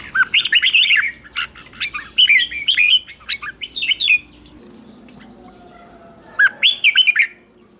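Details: Red-whiskered bulbul singing in the morning during song training for contest singing: several quick bursts of warbled, rising and falling whistled notes, a pause, then another bright phrase; faint murmur underneath.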